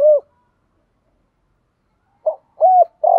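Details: Decoy spotted dove of the 'giọng thổ' voice style, used to call wild doves in. A closing coo is followed by silence, then the opening short note, an arched coo and the start of the rolling note.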